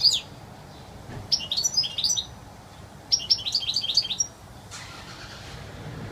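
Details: European goldfinch giving its wild song, two lively phrases of fast, high, tinkling notes each lasting about a second, separated by a short pause; quiet low hum in the background.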